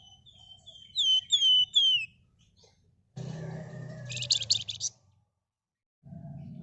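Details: Red-whiskered bulbul, a bold singer in dense 'ngebren' style, suitable as a lure: a quick series of high downslurred whistles, followed by a loud, harsh rattling burst over low background noise.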